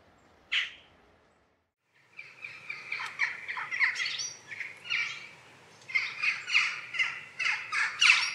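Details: Jackdaws, one sharp call and then a pause, followed by a dense, overlapping chatter of many harsh, squeaky calls from a flock.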